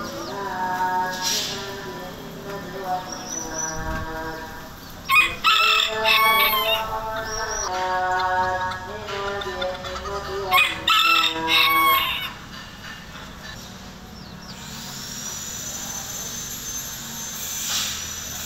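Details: A bantam chicken that can fly, kept at a workshop in Bandung, gives harsh, bursting calls and clucks over steady background music.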